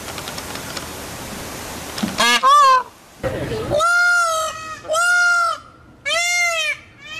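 A peacock gives loud, nasal, wailing calls, four strong harmonic blasts about once a second, after a stretch of quiet background noise.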